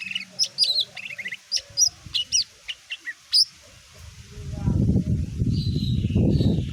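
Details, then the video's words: Greater green leafbird singing to stir other birds into answering: a run of clipped, bright whistled notes and quick trills for about three seconds, then a loud low rumbling noise takes over. "CUCAK IJO BUNYI BIKIN BURUNG LAIN IKUT EMOSI"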